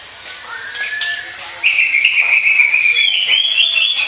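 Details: Orange-headed thrush singing continuously, for use as a lure: a soft, thin rising whistle opens, then a loud sustained run of rich, high warbling notes from midway to the end.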